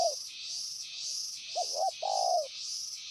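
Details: Spotted dove, a trained decoy bird, calling a rival far away: two short low coos, then a longer drawn-out coo. A strong throbbing insect chorus pulses high above throughout.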